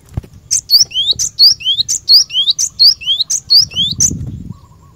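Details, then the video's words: Glatik batu, the cinereous tit, singing briskly in a training recording for caged birds. A steady string of high clicks, each paired with a bright rising whistle, repeats evenly and ends with a soft low thump and rustle. "GLATIKMU AGAR CEPAT GACOR...!!! Burung Glatik Batu Pikat Gacor"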